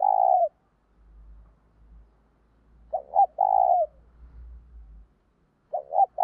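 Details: Spotted dove giving its urging coo, used to stir up other doves: low, mellow hooted phrases of two quick notes followed by a longer drawn coo, with a faint low hum between phrases.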